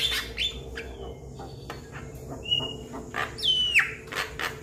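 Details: Calling to companions, a young Javan myna gives brief chirps, a flat thin whistle, and a strong downward-slurring whistled note, over low background hum.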